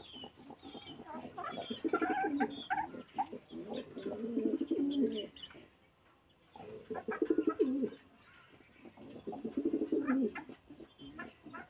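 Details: Kept domestic pigeons calling to one another, a female settled in the nest and expected to lay within days: low, throaty, rolling coos, each phrase lasting a few seconds.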